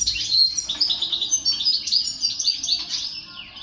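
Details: Male canary song aimed at exciting other males: high, rapid twittering and tinkling warbles in short bursts over a faint low background hum.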